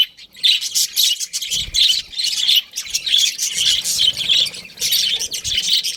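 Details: Colony of budgerigars giving steady high chirping chatter, warbled and buzzy notes running almost without pause, a few soft low thumps beneath.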